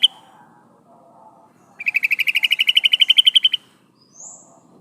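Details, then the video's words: [2, 'Female yellow-vented bulbul calling for a male, played as a lure. A single clipped note comes first, then one fast, rising trill of bright repeated notes lasting nearly two seconds, followed by a faint high squeak.'] "suara burung trucukan betina memanggil jantan"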